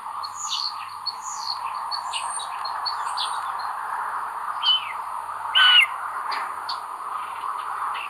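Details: On 25 May 2022, in a common buzzard nest where the eldest chick is aggressive, soft high peeps fall in pitch over and over. One sharper, louder whistled call stands out near the end, all above a constant background drone.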